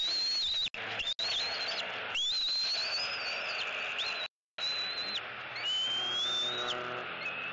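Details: Bald eagle fledgling at a Southwest Florida nest on 16 March 2018, squeeing loudly in excitement as its father brings a fish gift after its first fledge and return; drawn-out high whistled squeals, some wavering, over steady rushing background noise.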